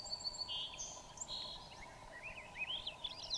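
Swainson's thrush giving a fluty song that spirals upward in quick rising phrases, after a few clear whistled notes, over a steady background hum.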